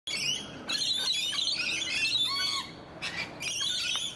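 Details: Rainbow lorikeets in an Australian garden in Donvale, giving dense, shrill, grating screeches in overlapping bursts, with short pauses near the first second and near the third second.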